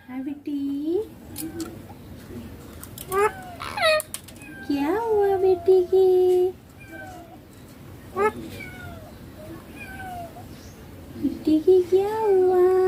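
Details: Pet green ringneck parakeet said to speak 'papa' and 'mummy', chattering a string of low mumbled word-like syllables with level held notes and short bright clicks, irregular across several seconds indoors.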